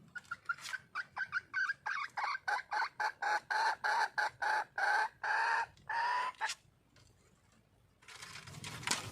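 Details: Female red junglefowl calling for a male: a rapid run of short, clucking notes repeated about twice a second for six seconds, some dropping in pitch, followed by quiet and a burst of rustling noise.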